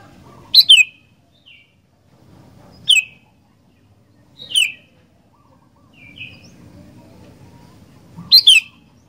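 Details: Sooty-headed bulbul in lively song, giving short bright chirped phrases that drop into quick slurred whistles, five bursts over nine seconds with small softer notes between, above a faint low background hum.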